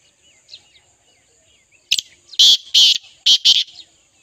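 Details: A partridge calls with one sharp note, then four loud grating, rasping bursts in a tight cluster, preceded by soft twittering from other birds.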